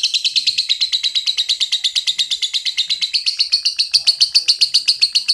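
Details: Lovebird giving a long ngekek chatter: a rapid, steady run of high, harsh chattering notes, about five or six per second, that carries on without a break for the whole stretch and grows slightly louder toward the end.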